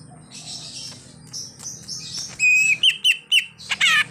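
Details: Greater green leafbird singing a full isian song packed with imitations, a car horn among them; quiet faint chatter gives way to loud, sharp whistled notes and rapid chirp bursts in the second half, with low background hum.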